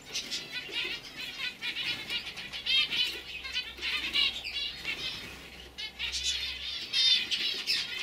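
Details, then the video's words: Several young canaries from 2015, caged; overlapping twittering and trilled phrases in a steady stream, with a faint low hum underneath. "Kanarien Vögel (Jung) 2015"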